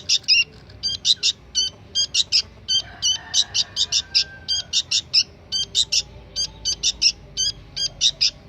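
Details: Sooty-headed bulbul fledgling calling busily, a long string of short high chirps, often in pairs or triplets, spaced unevenly, with a faint whistle-like tone in the background around the middle.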